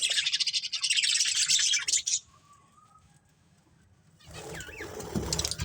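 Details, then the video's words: Several colourful pet budgies in a family group chirping; dense high warbled chatter fills the first two seconds, then a near-silent gap with a faint whistle, before chattering and rustling resume. "Cute Colourful Budgies Chirping Sounds"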